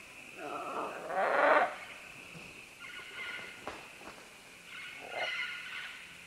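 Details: Green-winged macaws, a group descending along vines, heard at medium-close to medium distance. One loud, raspy squawk comes early, then softer scratchy calls and light rustling, and a further harsh call near the end.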